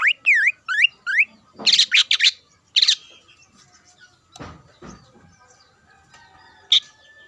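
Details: Greater green leafbird singing energetically to rouse rival leafbirds: quick series of whistled notes dipping and rising, followed by harsh buzzy bursts, a few low rasping notes and a final sharp chip.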